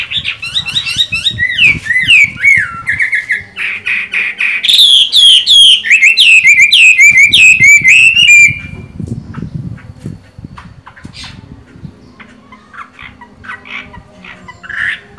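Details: Chinese hwamei, a caged bird with pale green eye-ring, singing well while moulting: loud, varied whistled phrases with rapid slurred notes and repeated rising-falling trills for about eight seconds, then quieter scattered notes.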